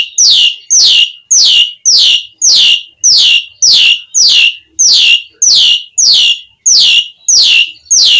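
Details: Song of an Asian pied starling, meant to goad other starlings into singing: a loud descending slurred whistle repeated thirteen times at a steady pace, roughly every 0.6 seconds.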